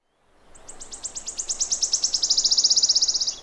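A wood warbler sings: high, sharp ticking notes that speed up into a dry, shivering trill lasting about three seconds.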